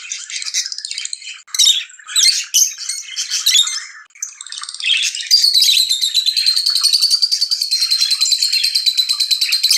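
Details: Lovebirds chirping excitedly during mating: dense high, squeaky chatter in bursts for the first few seconds, then a long rapid run of shrill, buzzy trilling notes, loud and close.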